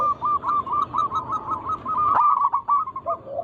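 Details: Zebra dove song from local wild birds, meant to entice other doves to sing. A brief, steady run of rapid, slightly wavering cooing notes ends with a lower coo.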